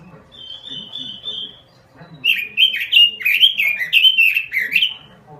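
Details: Robin singing gacor-style: a soft, steady high whistle held for nearly two seconds, a short pause, then a fast, loud run of warbled downslurred notes.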